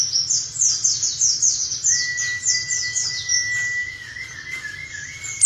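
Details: Warbling white-eye in 'nembak' style tutor song for morning play: a fast series of high, sharply descending slurred notes, then a flatter twittering run, with a faint steady whistle beneath.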